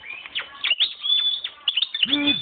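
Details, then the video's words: European goldfinch, hand-raised in 2011 and coming into breeding condition, sings a rapid liquid twitter mixed with a sustained thin whistle and quick chirps; a person's voice speaks briefly at the end. "JILGUERO 2011 CRIADO A MANO (ENCELANDOSE)"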